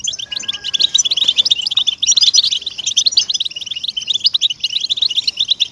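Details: European goldfinch song used to stimulate caged goldfinches into singing: fast, liquid twittering with buzzy and tinkling notes running without pause, several birds overlapping in a bright, high chorus.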